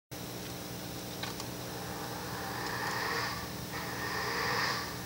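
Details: Ural owl at a nest box, 23 September 2021, giving rough, hissing, buzzy "veve" calls in drawn-out bursts about every second or two, possibly developed from juvenile calls, over a steady low mechanical hum.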